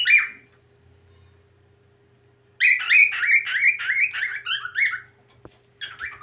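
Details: A whiteface cockatiel taking up its song again: one short warble, a pause of two seconds, then a long, fast series of chattering, wavering whistles ending in a few scattered notes.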